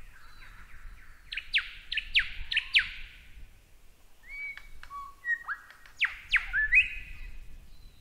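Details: Lyrebird song used to tutor caged birds: a run of sharp descending whistles, then short flat whistled tones and further loud downslurred notes.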